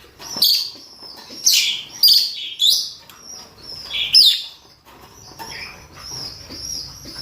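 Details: Male and female lovebirds, rosy-faced or Fischer's, calling for mating: a run of five loud, harsh, shrill screeches in uneven bursts, followed by quieter high twittering and thin sustained chirps.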